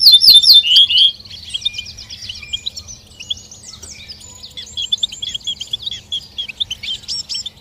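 Goldfinch chirping: a loud burst of rapid tinkling, twittering notes, then fainter continuous high twitters from several small birds over a low hum.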